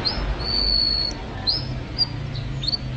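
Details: Canary in full song, offered as a training recording for songbirds: high clear whistled notes, one long steady whistle followed by short upswept notes, with low background rumble.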